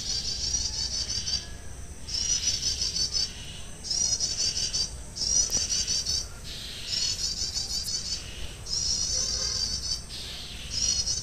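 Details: Olive-backed tailorbird, recorded while being trapped, giving very high, rapid chattering bursts, each about a second long, repeated every couple of seconds over a faint hiss.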